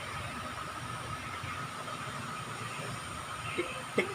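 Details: A steady mechanical hum like an engine or fan runs throughout, with a couple of brief clicks near the end and no clear animal voice.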